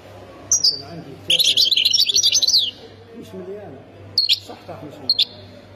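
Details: European goldfinch from Khemis Miliana, Ain Defla province, Algeria: a short high tinkling burst of fast twittering notes between brief thin call notes, over a low steady hum and faint voices.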